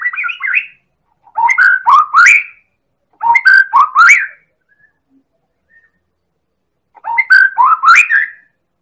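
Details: Champion Medan White-rumped shama song used as a lure to make other birds sing: loud bursts of varied, slurred whistles with sharp clicks, repeated in three phrases with short silent gaps.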